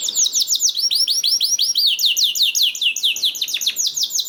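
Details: Canary song played to encourage other canaries to sing: a steady unbroken trill of high arched notes repeated rapidly, bright and rolling throughout.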